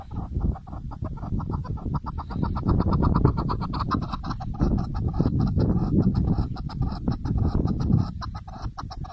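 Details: Chukar partridge calling: a long run of short, clipped chuck notes, about three or four a second, repeated steadily against a dense low background hum.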